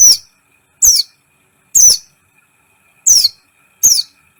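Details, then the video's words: Actively singing kolibri ninja sunbird, a training recording to excite other birds: five loud, very high, sharply downslurred notes spaced roughly a second apart. "Masteran KOLIBRI ninja gacor , agar CEPAT EMOSI"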